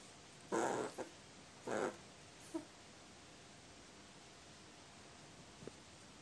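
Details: Sleepy crow fresh from waking, coming close for affection, 10 June 2018; two husky, rough calls about a second apart, then a brief faint click, with quiet room noise between.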